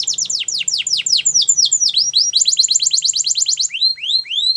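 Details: Flute-style song of a Russian canary, made of fast repeated downward-sweeping whistles, about three per second, shifting into quicker rolls and ending in rising slurred notes.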